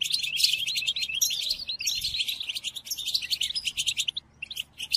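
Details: Tutor song of a European goldfinch, played to captive birds for learning: rapid chattering phrases of sweet, slurred notes and jingles, thinning out into separate twitters toward the end.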